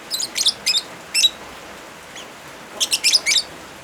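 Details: Lovebird song, original recording mixed with rain sounds, used as therapy or tutor audio for birds that have stopped singing; short bursts of high, harsh chirps in clusters of two to four, with a soft hiss of rain throughout.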